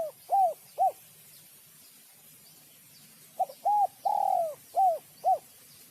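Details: Spotted dove cooing in the Vietnamese sấm chuông style, used to stir up males and females: short arched coo notes in quick runs, a pause, then more notes and one longer drawn-out coo, faint against a quiet background.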